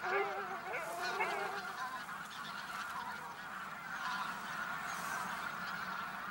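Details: A flock of geese flying from the fields to the lake for their daytime rest calls in a dense chorus of overlapping nasal honks and cackles, loudest at the start and continuing steadily throughout.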